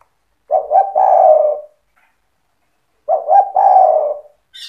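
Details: Spotted dove in lively 'cetretan' song, aimed at making other doves respond: two matching low phrases, each two short coos then an extended purring note, repeated about every two and a half seconds.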